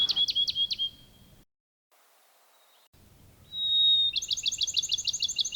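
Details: In spring in quiet gray-green pinewoods that are home to red-cockaded woodpeckers, a Bachman's Sparrow sings a clear, high, sustained whistle, then a rapid, even trill of bright notes, the loudest sound in the woods, following the end of an earlier trill.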